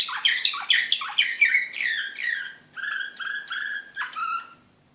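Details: Serbian singer canary from Belgrade, 2016, in excited mood, delivering a run of rapid descending chirps followed by steadier buzzy rolled phrases that fade out near the end.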